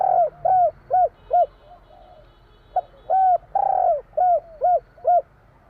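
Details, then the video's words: Spotted dove, Javan 'kuk 3' song style, delivering two loud phrases of hollow, arched coos about two seconds apart, each with a longer rolling purr note, steady rhythm near two notes per second. "Suara tekukur kur 3 besar / burung tekukur suara/Terkukur Kuk 3/ bunyi burung tekukur jawa kuk 3"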